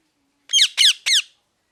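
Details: Three harsh, ringing parrot screeches, each sweeping downward, delivered in rapid succession over about a second with nothing else audible.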